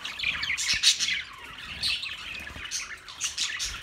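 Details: Several caged budgerigars in a big cage on 9 March 2024 keep up continuous busy chatter, a mix of sharp chirps, scratchy squawks and quick warbled notes with no pauses.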